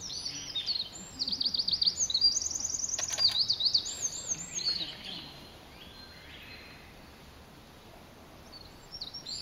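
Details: Eurasian wren pouring out a loud, fast song of very high, rattling trills and sweeping warbled notes for about five seconds, then fading to quiet hiss before a brief final flourish.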